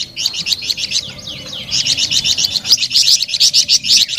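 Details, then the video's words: Sweet, lively flamboyan bird song: steady rapid chirps, roughly four per second, slurring into thin whistled glides before a louder, even series. "SUARA MERDU DAN GACOR BURUNG FLAMBOYAN"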